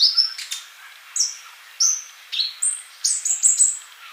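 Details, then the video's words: Actively singing male sunbird, used to train young birds that do not yet sing: spaced, very high whistled notes, each short and slightly falling, given about twice a second with tiny chips between. "Kolibri Ninja Jantan Gacor buat masteran yang masih bisu"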